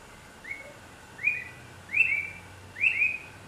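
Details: Bright-rumped attila in Costa Rica calling: four loud, slurred whistles, each rising then levelling off, spaced under a second apart and growing louder, over soft background hiss.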